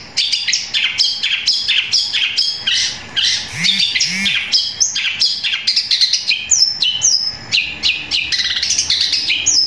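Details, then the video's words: Long-tailed shrike, a kept songbird, singing a loud, long song of varied, rapid notes: harsh chattering phrases, sharp downslurred whistles and high buzzy trills strung together without pause, with a few low mellow notes mixed in. "Cendet suara gereja tarung sambung kunti gacor panjang keras powernya"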